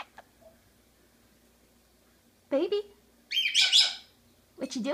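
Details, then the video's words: Pet Monk parakeet (Quaker) talking indoors in a small room: two low, voice-like sliding syllables, then a loud harsh squawk, and a final rising-falling speech-like phrase. "Quaker talking"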